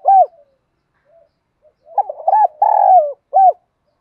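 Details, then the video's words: Spotted dove cooing, used to prompt caged doves to sing: a soft hooting note, a pause, then a run of low rounded coos ending in a longer drawn-out coo and a final short one; quiet background. "Tiếng chim cu gáy kích chim cảnh nhanh gáy nhất hiện nay, chim cu gáy giọng hay hạp bổi mới"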